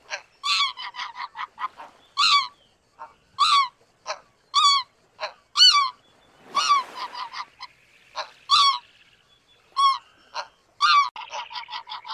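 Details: Several greater white-fronted geese give a steady stream of high-pitched, yelping honks, roughly one per second, often doubled or overlapping, forming a busy chorus of rising and dipping notes.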